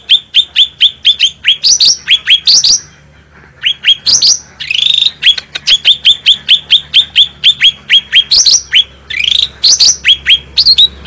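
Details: Bright, strong singing of a cucak rante bulbul, a master recording meant to coax other caged birds into song. Fast, steady string of crisp falling whistles, broken by a short pause and a few higher sweeping notes, over a quiet low drone.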